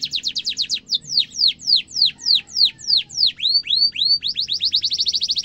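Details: Canary song for tutoring young and adult canaries: quick high chips give way to about ten loud falling whistles, then rising curved notes and a rapid trill at the end; faint low hum beneath.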